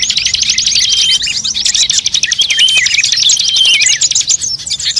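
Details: Lure recording meant to attract birds, blending calls of many Indonesian songbirds such as magpie-robin, shama, shrike, drongo, prinia, bulbul and starling; dense, high, rapid chirps and trills overlap continuously, with sharp whistled notes cutting through.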